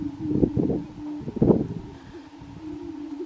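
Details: Displaying grouse at a Colorado lek in 2023: the low droning tone is partly masked by two loud bursts of thumping and rustling, with a few soft low notes afterward.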